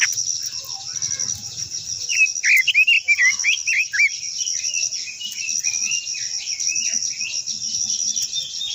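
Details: Japanese white-eye, called quế lâm, with a long-voiced song to rouse other birds: two seconds of loud, rapid, zigzagging high notes, then softer continuing twitters, all over a steady shrill drone.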